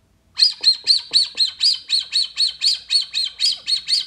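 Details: Brazilian teal (red-footed) playback used to attract the birds: a rapid series of high, piercing whistled notes, about four per second, steady and even, with no other sounds.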